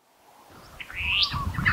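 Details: One of two Restless flycatchers foraging in Monarto Woodlands, South Australia, on 26 July 2020, giving a single rising whistled note that sweeps sharply upward, then a shorter slur, over low rumbling background noise.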